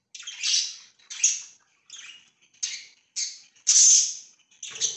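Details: Pet budgerigars, 24 September 2024: a regular series of six or seven short, scratchy squawking chirps, roughly one every half second to second, at a fairly steady loudness.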